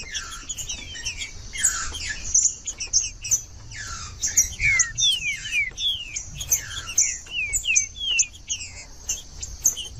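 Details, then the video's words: Green-winged saltator singing, used to heat up a cold caged bird: bright falling whistles in clustered phrases, with a thick wash of shrill chirps from many birds throughout. "ESQUENTAR TRINCA FERRO FRIO"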